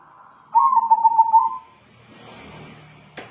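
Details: Local crossbred zebra dove with a mellow voice: a single gently pulsed, level cooing trill lasting about a second, then soft background rumble and a brief click at the end.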